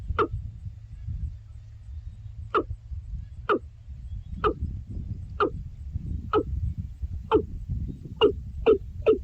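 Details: Hollow, knocking calls of a watercock in wetland habitat, one note every second or so that speeds up toward the end, with a steady low rumble behind.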